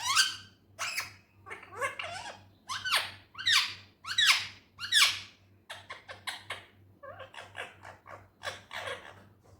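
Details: Talking Indian ringneck parrot gives a rapid string of scratchy, squeaky syllables, about one every second, loud at first and then softer and faster, like chattered words, over a low background hum.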